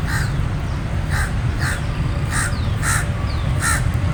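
A common raven gives harsh, hoarse caws, about seven in four seconds at an uneven pace, over a steady low rumble.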